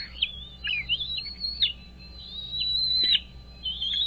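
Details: American bald eagle calling at a nest beside Dale Hollow Lake reservoir on the Kentucky–Tennessee border, 07:24 on 17 April 2023; a long string of shrill, quavering whistles with sharp downward flicks, steady low hum beneath.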